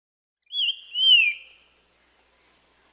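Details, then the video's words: Ringed antpipit gives two clear whistled notes, the second longer and sliding down, while a thin, very high steady tone sounds three times behind it. "Ringed Antpipit"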